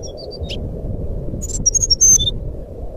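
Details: High whistled song of a jungle flycatcher in fluting style, used to coax a silent bird to sing: scattered thin notes, then a brief bright trill of piping whistles, over a steady low background roar.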